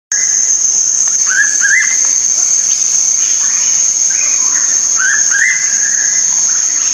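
Hooded pitta giving paired, slurred whistles, repeated a few times, over a loud, steady, high-pitched insect drone.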